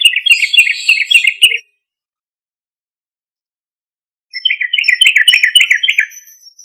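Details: Persistent sooty-headed bulbul song used to provoke a response from other bulbuls: two lively phrases of rapid, bouncing, slurred notes repeated several times a second, with a long silent pause between them.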